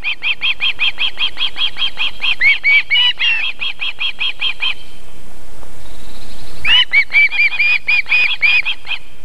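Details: Female osprey at a Võrumaa nest in South Estonia, feeding chicks on 31 July 2021 around 19:51, calls in fast strings of piercing whistles, a long run followed by a pause and a louder, more rising series.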